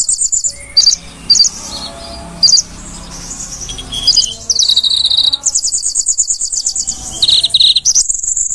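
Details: Konin in full song, recorded as a master track for cage-bird training: a few sharp high notes, then long, high buzzing trills that change pitch, with soft twittering underneath.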